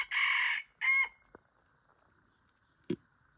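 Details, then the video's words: F1 hybrid junglefowl from Aceh, Indonesia, crowing: a harsh broadband first phrase followed by a shorter second burst ending in a brief tonal note, then quiet with a few faint clicks. "Ayam hutan Aceh # Kokok f1 Istimewa"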